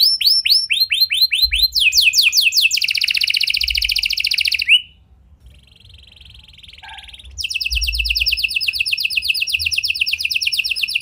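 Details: Lure song of a gacor canary with a unique cengkok style, meant to set off silent canaries: quick rising sweeps run into a dense rapid trill, a short quiet pause with soft warbling, then the fast trill returns.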